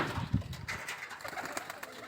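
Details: Pigeons in lofts at Durgasagar, Barisal, Bangladesh, with many young present, give a brief, low, throaty coo, followed by a faint background hiss.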